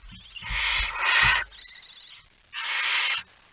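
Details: Barn owl holding a mouse, recorded 17 September 2019 at 01:49: long harsh, breathy hissing screeches, two loud bursts, a quieter rasp, then a final strong burst, with faint low thumps beneath.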